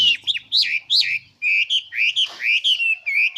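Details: Bird singing a series of loud, clear whistled phrases, each sliding up then down, with notes repeated in quick succession and a faint low hum beneath.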